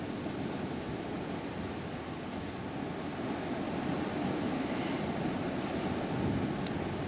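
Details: Continuous roar of ocean waves and wind buffeting the microphone on a sea trip in South America, with no animal voices.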